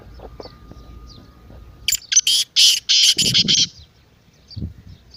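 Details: Partridge (teetar) calling, a lively call played to rouse silent birds: a fast run of about six loud, harsh, buzzy bursts in under two seconds, followed by faint low rustling and murmured background sounds.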